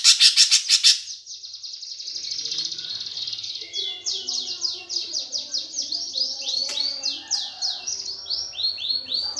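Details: Greater green leafbird with sparrow-fight style song to provoke contest birds: loud harsh bursts, then a thin steady high trill, then a rapid series of downslurred whistled notes over softer lower twittering.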